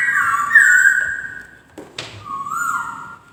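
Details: White-crested laughingthrush song of a long, clear, sustained whistle that slides slightly. A sharp click follows, then a shorter level whistle rises at the end.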